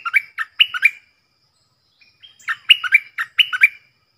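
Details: Stripe-throated bulbul used as a decoy, song played so young birds sing along and wild birds are drawn in; two rapid, bubbly phrases of chirped notes separated by a second-long pause.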